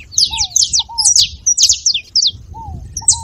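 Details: Saffron finch song for firing up a quiet canary: quick bursts of sharp, high chirps in tight clusters, with soft lower slurred whistles sliding down between phrases.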